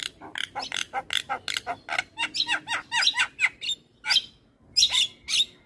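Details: Javan myna chattering, from a recording made to get silent or stressed mynas singing again; it gives a fast string of dry, clipped notes, some with dipping tails, then a few louder harsh calls.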